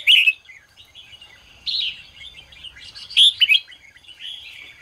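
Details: Red-whiskered bulbul singing in the morning, used to stimulate other bulbuls to sing: loud, bright whistled phrases at the start and near the three-second mark, linked by softer warbling twitters.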